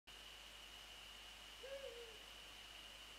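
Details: Male and female Eurasian eagle-owls call on 28 February 2014 between 6:27 and 6:29 in the morning; a single faint, low hoot that bends slightly downward rises above a steady high electronic whine and background hiss.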